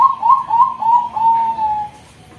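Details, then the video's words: Female Bangkok-type zebra dove, a prospective breeding hen kept on a bird farm, giving soft, mellow, warbling coos that run together and then fade into a long, slightly falling note. "suara perkutut Bangkok betina"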